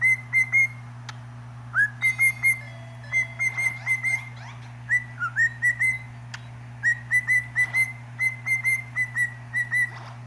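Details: A singing pet cockatiel gives clusters of pure whistled notes, a few swooping upward, in short irregular phrases separated by pauses. A steady low-pitched hum continues throughout.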